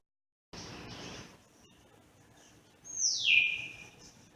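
A grey parrot gives one loud, drawn-out whistle that slides steeply down from very high to mid pitch, after a brief rustling hiss.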